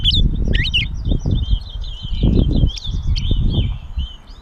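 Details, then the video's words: Gray catbird at Bowdoinham, Maine, 16 May 2020, singing thin squeaky notes and warbled twitters, partly masked by loud low rumbling noise throughout. "The many sounds of the Catbird"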